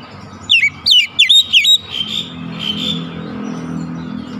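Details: Oriental magpie-robin lure song for a silent bird: four short, loud whistled notes with sharp downward slurs, followed by steady rumbling vehicle noise.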